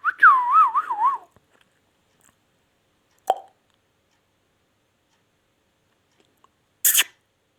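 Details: Pet ringneck parrot whistles a wavering, looping phrase lasting about a second. Long quiet follows, broken by two isolated sharp clicks.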